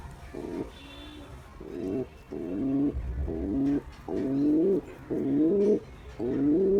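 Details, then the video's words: A courting male pigeon coos at a female, giving a series of throaty, purring coos that rise slightly in pitch near their ends. They repeat about once a second over a low background rumble. "Male Pigeon Cooing Sound To Female Pigeon"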